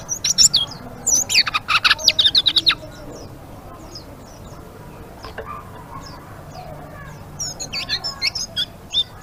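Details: Blue-winged leafbird chattering in ngeriwik style: bursts of dense, scratchy high twitters and chirps at the start, a quieter middle with scattered faint notes, then renewed rapid chirping near the end.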